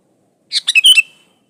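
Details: Sooty-headed bulbul singing strongly, used as a lure to set other bulbuls singing: a single rapid, gurgling phrase of four notes ending in a clear downward whistle.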